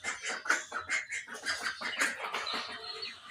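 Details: Morning chirping from pet budgies, loud and close, with dense rapid twitters and warbled chirps tumbling over one another without pause.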